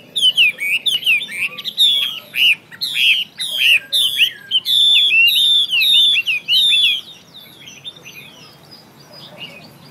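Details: Chinese hwamei singing: loud, clear whistled phrases of rising-and-falling slurred notes, repeated rapidly for about seven seconds before it goes quiet, with faint background hiss.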